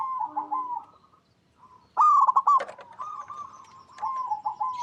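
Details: Local zebra dove song used as a lure to make other zebra doves sing; rolling cooing phrases near one pitch, a loud burst of rapid stuttered coos in the middle, then softer repeated descending coos.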